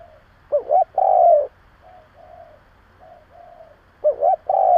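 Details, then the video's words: Lure spotted dove cooing hard to challenge other doves; a loud phrase of a lilting double note and a long, rich, falling coo, then softer short coos, then another loud phrase beginning. "Cu gáy gù gáy kích bổi cực mạnh / Tiếng cu gáy hay kích bổi / Cu mồi thúc gù kích cực mạnh"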